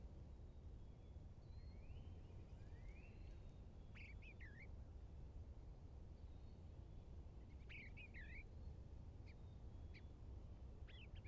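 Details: At nest box #1 on 2 March 2023, a bluebird gives soft, warbled two- and three-note calls in a few short bursts, with faint rising whistles early on, over a steady low rumble of wind or traffic.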